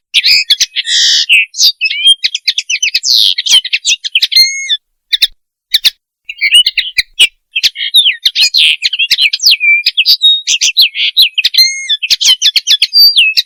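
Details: Long stretch of common linnet mating song, used for training and hunting: continuous lively twittering of clipped chirps, nasal trills and short upslurred whistles, with a few brief pauses.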